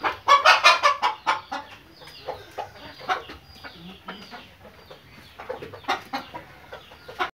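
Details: Pakistani Fayoumi chickens, which lay daily, open with a loud, fast run of clucks, then fade into softer, scattered clucks with a few faint drawn notes, and finish with another short burst.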